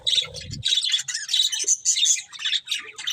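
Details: A short burst of budgerigar chatter, quick scratchy chirps and squeaky warbled notes following one another closely.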